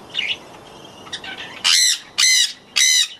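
Jenday conure giving three loud, harsh, grating screams about half a second apart, after a few faint chirps at the start.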